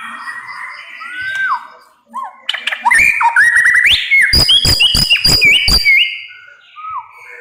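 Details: A white-rumped shama sings a varied phrase: soft descending whistles, then a loud run of swooping whistled notes mixed with sharp percussive clicks, ending in a few quieter slurred whistles.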